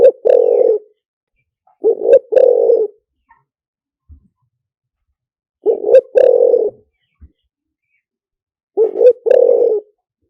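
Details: A spotted dove coos in the liu tan style used for luring: a short note followed by a longer, mellow, buzzy coo, repeated roughly every three to four seconds against near silence.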